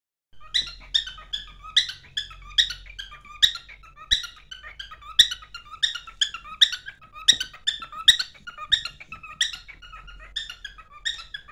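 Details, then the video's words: Pet cockatiel singing while running toward its mate indoors: rapid squeaky chirps with harmonic stacks, repeated about twice a second in a steady chattering stream, with a few sharp clicks. "Nick cantando e correndo para Kiki"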